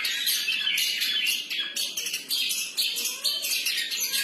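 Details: Long-tailed shrike in full freestyle song: dense, continuous scratchy chatter with high squeaky notes mixed in, delivered in quick pulses of roughly two per second.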